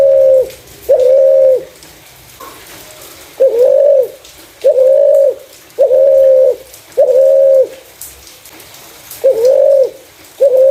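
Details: Clear-voiced spotted dove calling as a lure for other doves: nine steady, hollow, flat coos in a fairly even run with a couple of longer gaps, over faint background hiss.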